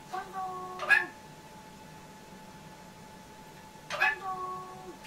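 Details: Pet young grey parrot indoors producing two matching utterances about three seconds apart, each a sharp attack followed by a sustained, level harmonic tone, over a faint steady hum.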